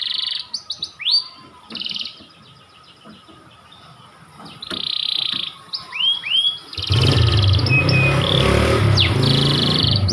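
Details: White panda canary singing short whistled swoops and brief buzzy trills, at first against a quiet background. Loud rushing broadband noise then swamps the second half, with the song still faintly showing through.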